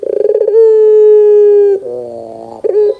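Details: Barbary dove calling to lure young doves into replying: a rapid pulsing trill opens into a long steady coo over a second long, followed by a softer lower warble and a short rising note.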